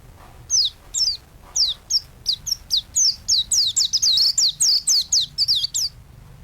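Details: Energetic white-eye (pleci) singing for a master recording used to train songbirds: short, high, downward-slurred whistles repeated about four times a second, growing faster and denser toward the end, then stopping.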